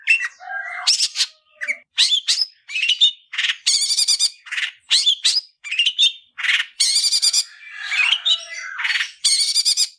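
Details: Fighting-style 'tarung ngalas' song of a Long-tailed shrike for training cendet: a varied mix of harsh rattling buzzes, chattering trills and clear upslurred whistles, delivered almost continuously for ten seconds.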